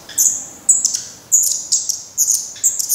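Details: Young black redstarts at the nest, Portugal, still fed by parents though they have tried flying; loud, high, squeaky calls in quick doubled and tripled bursts, about every half second.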